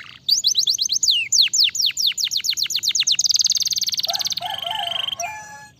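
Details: Canary singing to stimulate others of its kind: crisp descending whistles in steady succession, then a loud fast trill and a softer, lower warbling phrase.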